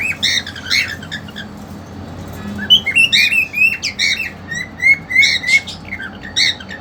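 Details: A male cockatiel eager to mate shares a cage with a two-month-old female. Harsh, overtone-laden chirps open the clip, then a series of clear rising whistled notes repeats about twice a second, over a soft hum.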